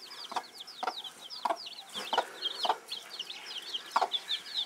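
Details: Broody bantam hen with her chicks: spaced clucks about every half second, with a brief double note, over a steady stream of high downslurred chick peeps.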